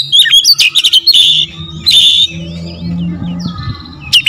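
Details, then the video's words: Oriental magpie-robin singing, played to provoke other magpie-robins: loud rapid whistled and trilled phrases in the first two seconds, then quieter warbling over a low droning hum. "TERAPI KACER LAIN LANGSUNG TERPANCING EMOSI GACOR DOR"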